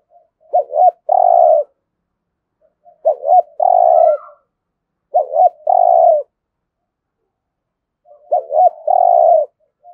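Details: Spotted dove from Đồng Nai, Vietnam, in competitive 'gù đấu' cooing: four phrases roughly every two and a half seconds, each a quick double note leading into a drawn-out low coo.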